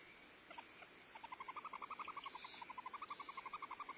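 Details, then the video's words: Barn owls at a Starr Ranch nest on 14 February 2011, the female feeding a couple of owlets while the male delivers prey; a rapid, fairly even run of ticking chitter notes, roughly four per second, over steady hiss. "Starr Ranch Barn Owls: 2011-02-14: Feeding owlets, prey delivery, bonding, loud noise"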